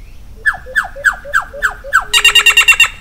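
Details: Solitary cacique (Cacicus solitarius) singing: a series of six loud, clear whistles sliding sharply downward, about three per second, then a harsh, rasping, rapidly pulsed buzz ending the phrase, with faint low background hum.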